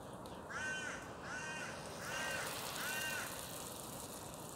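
A parakeet gives four harsh, rising-then-falling squawks, each under a second, spaced about three-quarters of a second apart, over steady low background rumble.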